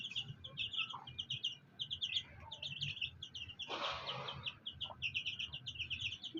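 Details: Fighter chicks with a black hen, peeping continuously in quick, high chirps, with a brief broad rustling burst midway and a low hum beneath.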